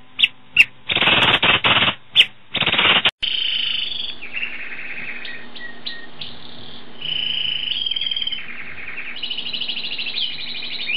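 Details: Asian pied starling (jalak suren) singing in full, lively voice: after three seconds of loud broadband bursts and rustling, a run of buzzy, harmonic, rattling notes and drawn-out nasal phrases over a steady low hum.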